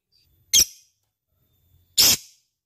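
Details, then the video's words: Lovebird giving two separate harsh, shrill squawks about one and a half seconds apart, each short and sharp with a quiet pause between them. "Suara Burung Love bird gacor cocok untuk pancingan"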